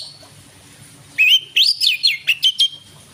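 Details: Oriental magpie-robin singing in the evening to provoke other birds; after a quiet start, clear rising and falling whistles, then a quick series of about five short emphatic notes.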